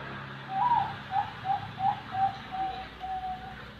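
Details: ['Zebra dove of the Bangkok type, kept at a bird farm in Buleleng, Bali: soft, mellow cooing, a slightly higher opening coo then a series of about seven short even notes at a steady pace, with a faint low hum.']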